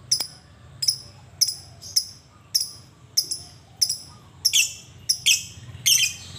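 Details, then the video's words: Lovebird giving a long 'ngekek' chatter, played to lure other lovebirds into calling; sharp, piercing high chirps repeated roughly every half second, growing louder and denser near the end, over a faint low hum. "Suara lovebird ngekek panjang"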